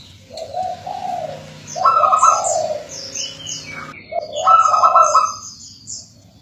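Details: Local zebra dove recording meant to encourage other local doves to sing: soft rolling cooing phrases, each a quick burst then a stretched, wavering coo, repeated three times, with thin high chirps from small birds above.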